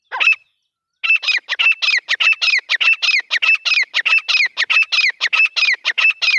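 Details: Grey francolin, a recording reused as a hunting call, giving a shrill, loud run of sharp, high notes, about three to four a second, after one brief opening note and a pause.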